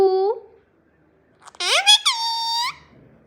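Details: Talking pet green parrot in a small room: a brief squeaky note, then loud nasal speech-like syllables ending in a long drawn-out tone, imitating Gujarati phrases.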